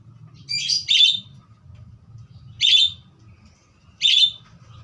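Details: Budgerigar chirping in three separate raspy bursts, the first doubled, spaced over a couple of seconds with a low background hum.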